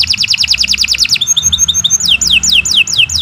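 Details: Canary singing in 'gacor' style for luring and tutoring other birds: a very fast rattled trill, a thin high twitter, then slow, loud descending whistled slurs, over a soft low background rumble.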